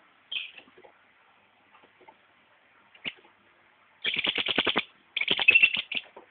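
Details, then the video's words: Green-headed tanager uttering a few isolated high chips, then two loud, dense bursts of rapid, dry, buzzy rattling notes, each about a second long. "Sairinha de 7 cores fazendo barulho"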